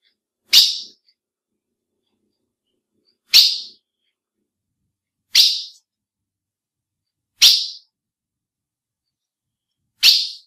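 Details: Female ultramarine grosbeak (azulão) calls, used to excite males: five sharp, short, high chips, each falling off quickly, spaced about two to three seconds apart against a silent background.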